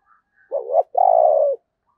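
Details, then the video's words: Decoy spotted dove calling to draw in wild doves: a single loud phrase, a rising double note followed by a long, low, slightly trembling coo that falls at the end. "tiếng cu gáy/ Chim Cu Mồi Thúc Và Gáy Gọi/ Tiếng chim cu gáy kích bổi hiệu quả"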